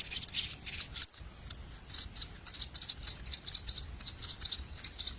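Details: Common myna chicks receiving a lizard from a parent produce fast, scratchy, high-pitched pulsed begging calls, broken by a brief silence near one second, then resuming continuously.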